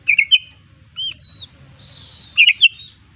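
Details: Oriental magpie-robin, a kept songbird, in a lively full song with a varied repertoire: short bright whistled notes, a rising slurred whistle and a sustained high buzzy phrase, then more quick chirped notes, over a faint low hum.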